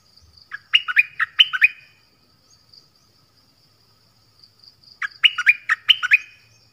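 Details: A Thai nok dok taeng repeats its phrase of six quick, bright whistled chirps, rising then dropping. The phrases are about four seconds apart, with a faint high hiss running throughout.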